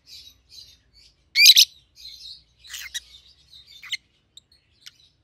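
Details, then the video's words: Peach-faced lovebirds, a pair of 7-8-month-old captive birds in red-headed green opaline and red-faced dark green. One loud screechy double chirp stands out among soft chattering and a few thin ticking notes. "Peach-Faced Lovebird's Sounds"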